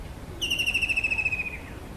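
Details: Kingfisher trill, a bright, even rattle of quick pulses that falls gently in pitch over about a second, over a soft, steady background hiss.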